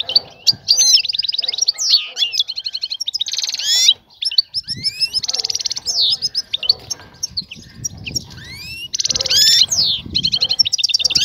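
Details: Female European goldfinch calling a male to mate and nest, intent on drawing his attention; dense, rapid, tinkling twitters and trills with sweeping whistled slurs, nearly unbroken for the whole stretch.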